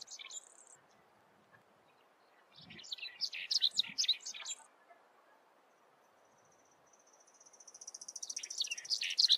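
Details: Lark-like Bunting singing a canary-like song; bursts of high, varied chirping phrases, a brief phrase at the start, a busy jumble in the middle, then a rising series of rapid repeated notes building at the end, with faint low hiss.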